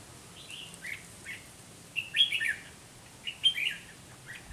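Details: Red-whiskered bulbul used as a decoy while trapping, facing strong rival birds: short warbled, slurred phrases in bursts about a second apart, the loudest near the middle and later, over quiet rural background.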